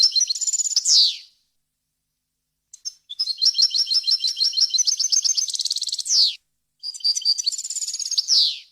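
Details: European goldfinch singing a pure song for young birds to copy: three bursts of fast high twitters and trills, each closing in a descending buzzy sweep, with short silent breaks.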